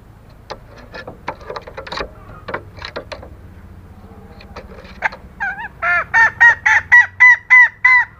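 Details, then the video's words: Female green junglefowl calling to attract males. Scattered clicks and rustling come first, then a run of about nine loud, nasal, honking notes repeated rapidly, around three per second, until the end. "Suara Ayam Hutan BETINA GACOR"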